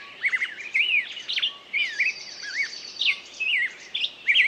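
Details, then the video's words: Bird song of clear, wavering whistles and short slurs, close and loud, with a faint buzzy trill behind and a quiet steady hiss. "пение птицы"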